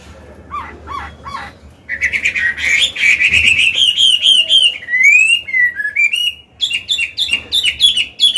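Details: Old forest-caught Chinese hwamei singing in a cage, for training young birds and rousing males: three soft lower notes, then a fast rising warble flowing into clear slurred whistles and crisp repeated high notes.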